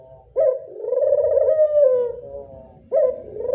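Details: Lure call of a local Barbary dove. A brief clipped note leads into one long, vibrating coo that slowly sinks in pitch. The next call begins with the same sharp opening note about two and a half seconds later.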